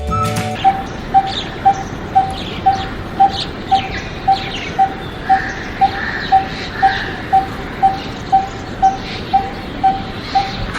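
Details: Coppersmith barbet (Psilopogon haemacephalus) in Sri Lanka gives its metronomic call, a steady, hollow 'tuk' about twice a second like a coppersmith striking metal, over background hiss and faint other birds.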